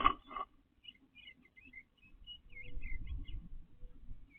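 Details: Backyard male eastern bluebird building a nest with pine straw in late April; a thump at the start, then soft warbling notes in short slurred bursts over low rumbling background noise.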